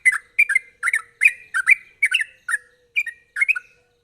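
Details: Sooty-headed bulbul producing quick, sharp song meant to coax untrained bulbuls to sing: about a dozen short, liquid, slurred whistles in pairs and singles, roughly two to three per second.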